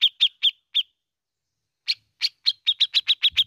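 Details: Bearded bulbul from Indonesia in ngepik style. Four sharp high pips are followed by a pause of about a second. The pips then resume and quicken into a dense run of clipped chirps. Nothing else is audible.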